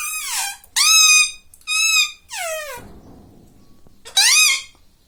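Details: Pet rose-ringed parakeet talking, repeating nasal, strongly harmonic word-like calls, each dipping then rising in pitch, four in a row before a pause and one more.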